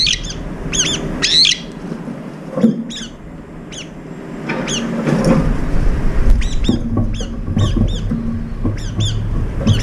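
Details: Up to five brown-eared bulbuls gather to feed at a morning feeding spot, sharing food then squabbling, pecking and chasing; they trade shrill, squealing calls in short irregular bursts, some overlapping, over steady low traffic rumble.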